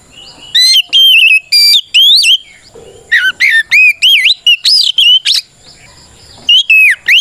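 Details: Oriental magpie-robin delivering loud, continuous fighting song used to provoke other kacer to reply; bright whistled notes rising and twisting in rapid series, a short lull near six seconds, then two more strong whistles.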